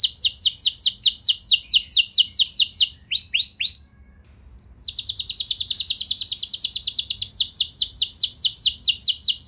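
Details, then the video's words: Canary singing a loud, provoking song meant to set other canaries answering, with long rolls: fast runs of descending whistled notes repeated many times per second, a brief pause near four seconds, then a dense buzzy trill. "Bakal Bikin Emosi Burung Kenari Lain Langsung Nyaut Gacor Ngeroll Panjang"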